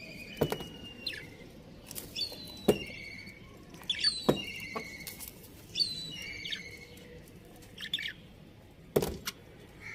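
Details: Breeding pair of budgerigars kept at home, giving repeated short chirps and warbled whistled notes, with several brief sharp clicks and knocks in the background.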